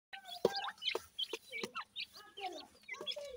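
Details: Grey francolin (dakhni teetar) chicks while feeding: a busy run of short, high chirps and squeaky notes, some sliding up or down, coming in quick clusters with brief gaps, several birds calling over one another.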